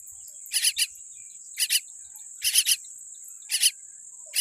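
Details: Weak-beaked baby common myna repeats scratchy paired and tripled call notes about every second, accompanied by a constant high-pitched insect drone.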